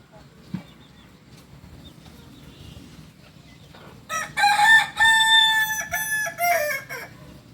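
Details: Native Kukuak Balenggek singing rooster of Solok, West Sumatra, crowing after a quiet start: a loud, drawn-out crow broken into four or five stacked, harmonic segments with brief gaps, ending in a falling note.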